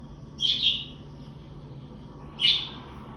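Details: Budgerigar giving contact chirps, used to find flock mates it cannot see: two short, high, bright chirps about two seconds apart over a low steady background hum.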